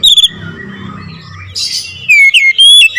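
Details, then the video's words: Oriental magpie-robin singing 'nembak ngerol': a short whistled note at the start, a quiet pause, then loud, high, slurred whistles toward the end. "KICAUN KACER NEMBAK NGEROOL"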